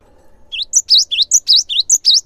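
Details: Singing cinereous tit whose energetic song is played to get other gelatik calling: rapid, loud, high chirps alternating between a lower swooping note and a higher bright one, about four per second.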